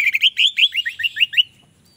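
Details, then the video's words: An orange-headed thrush sings a quick string of about eight bright, high chirping notes, each sliding up and down, over a second and a half, then goes quiet; a sound expected to lure other orange-headed thrushes. "Anis merah lain pasti akan terpancing bunyi"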